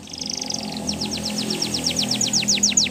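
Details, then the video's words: Belgian canary song: a short buzzy trill followed by an even series of sharply downswept high notes, about five per second, over a steady low hum. "Do This And Your Canaries Will Never Stop Singing | Belgian Canary"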